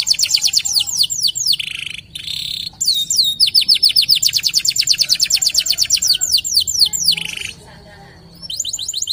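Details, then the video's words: A prolific local canary pours out rolling trills of rapid, repeated high slurred notes, with brief breaks and buzzy bursts between phrases, ending after a short quiet spell. "PANCINGAN KENARI LOKAL GACOR"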